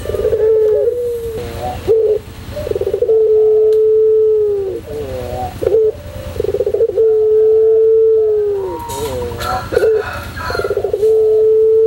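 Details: White Barbary dove singing in the pelung style, used as a tutor recording: long, level, drawn-out coos interleaved with rapid bubbling trills and short upslurred notes, repeated in a steady series, with faint low background hum.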